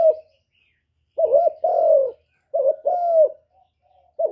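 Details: Spotted dove repeating a two-part coo phrase, a short hooked note then a longer falling one, given twice about 1.5 seconds apart in quiet surroundings.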